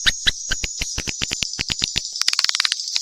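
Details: A run of evenly spaced dry clicks gives way to faster soft chirps, all over a steady high whine; one of a mix of swiftlet calls.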